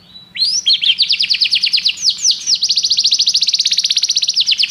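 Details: Canary song built from a long, fast rolling trill of rising sweeps that speeds up into a dense, even, buzzy chatter near the end.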